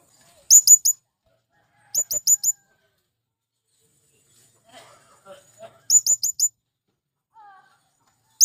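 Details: Male blue-crowned hanging parrot calling to attract wild birds: repeated bursts of three or four rapid, shrill, very high chirps, with faint low chatter and soft squeaks in the gaps.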